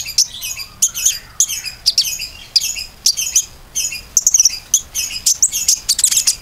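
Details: Common iora song played as a lure to set other birds singing: rapid, high, thin chirps and short trills in quick bursts, about two per second, with faint background hiss.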